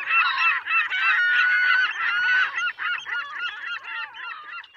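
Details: Gulls calling in a crowd, harsh curved yelping notes tumbling over one another in quick succession, with brief dips where single squawks stand out before the chorus thins slightly toward the end.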